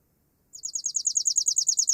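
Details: Chipping sparrow song: a simple trill of one high note repeated rapidly and evenly, pulsing for about a second and a half in a clean recording.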